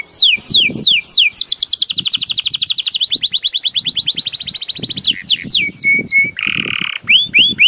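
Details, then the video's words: Song of a Belgian canary: quick downward sweeps run into a long, fast rolling trill that shifts pitch, then more sweeps, a flat whistle, a brief buzzy note and rising chirps. "CANTO DO CANÁRIO BELGA"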